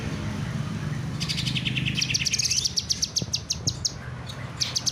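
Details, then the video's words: Kinoy bird in full song: rapid series of high, thin chirping notes, clustered bursts repeated about four per second, with some buzzy trills, over low rumbling background noise. "burung kinoy gacor"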